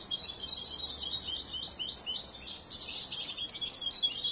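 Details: European goldfinch youngster still in training: a continuous, high, jingling twitter of mixed chirps and short buzzy notes that grows a little louder toward the end, with a thin whistled tone.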